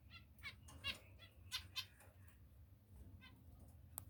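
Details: Short, nasal, stacked call notes from pet finches, given singly and in pairs about every half second, then a pause and a last few notes over a low background hum.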